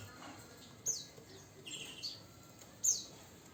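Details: Javan bush lark, nine years old, caged, uttering a few brief high thin chirps and a buzzy descending note spaced about a second apart over quiet background.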